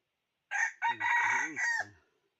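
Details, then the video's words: Red junglefowl decoy rooster crowing to lure wild fowl, recorded 2021: one full crow of four linked parts, a short opening note, a brief second, a long steady middle and a falling close, in a quiet setting. "Cuab qaib 2021 tuaj zoo ไก่ต่อมานต่อเข้าดี"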